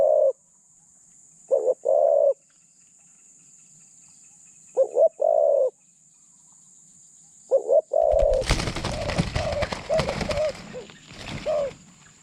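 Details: Decoy spotted dove with a mid-pitched voice and light cooing delivery, set out to lure wild doves. Paired low coos, short then drawn out, repeat every few seconds before loud rustling and handling noise takes over the last few seconds.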